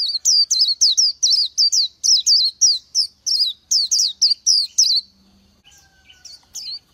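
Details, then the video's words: Oriental white-eye, a small bird of forest, scrub and secondary growth in northern and central Vietnam, singing rapid high twittering phrases of short, slurred descending notes, about three per second, stopping after five seconds before a faint final note. "Chim hót hay Vành Khuyên họng vàng đông dương"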